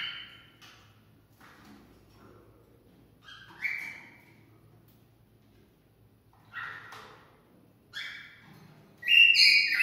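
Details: Cockatiel singing to encourage mating: scattered short chirps and whistled notes separated by quiet gaps, ending in a loud, bright whistled burst.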